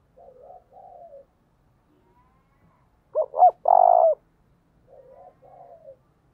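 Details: Decoy spotted dove cooing to lure wild doves: soft paired murmurs, a single loud phrase of two short notes and a long buzzy coo, then more quiet murmuring.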